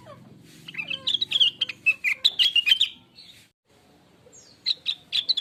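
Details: Blue-winged leafbird lure song for prompting other birds to sing: a rich, fast medley of slurred whistles and chips, falling then rising, followed by a brief pause and a short final burst.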